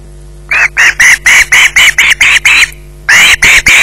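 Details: Fish-holding osprey on the Loch Garten nest gives a rapid, urgent run of about a dozen coarse, squealing screeches, briefly pausing midway before resuming; faint constant hum behind.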